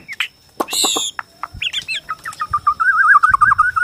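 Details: White-rumped shama of the Borneo type in song used to stir rival shamas to sing and fight; harsh buzzy bursts and loud notes lead into a long wavering whistled trill, repeated quickly and steadily.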